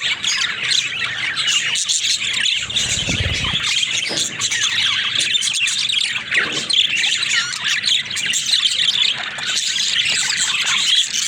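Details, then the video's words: A flock of pet budgerigars squawking and warbling continuously, harsh high notes mixed with twittering, plus a soft low rumble around the third second. "Funny Talking Budgies"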